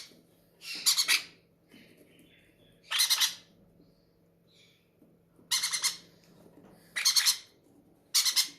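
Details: Hungry aviary parrots call at feeding time with five loud, grating squawks spread unevenly across the stretch. Soft chatter and a steady low hum fill the quiet between them.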